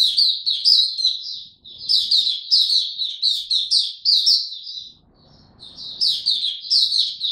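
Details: Oriental white-eye giving its 'buka tiong aw' song while being brought into form, dated 3 January 2022: sustained high, sweet twittering in repeated bursts, a short lull with faint background rumble, then renewed chirping.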